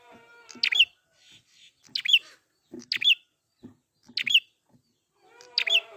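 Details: Wild prinia sung as a lure to get caged birds singing again: sharp, high, buzzy double notes in bursts about every 1.2 seconds, with faint lower harmonic calls from another bird between phrases.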